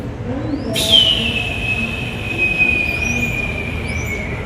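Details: Red-tailed hawk at a birds-of-prey display gives its territorial call, one long, hoarse scream that starts high and slowly slurs downward, over faint chirps and a low background rumble.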